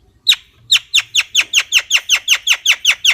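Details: Javan myna giving a fast series of sharp, high chirps that drop in pitch, repeated steadily about two or three times a second after a short opening note.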